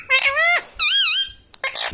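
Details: Indoor pet parrot imitating the words "mummy" and "papa": two drawn-out, harmonic, squeaky syllables, the second wavering up and down, followed by a short hiss-like burst.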